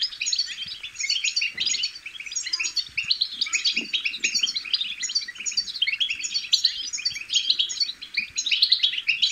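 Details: European goldfinch chicks' babbling song for prompting goldfinches to sing: loud, continuous high twittering packed with quick chirps, ringing notes and buzzy rattles, nearly free of other sounds.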